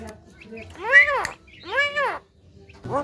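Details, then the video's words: Javan myna said to be a clever talker, producing two voice-like, rising-then-falling syllables with rich harmonics, separated by a short pause, and a third beginning at the end. "BURUNG JALAK KEBO BISA BICARA SANGAT BAGUS DAN PINTAR"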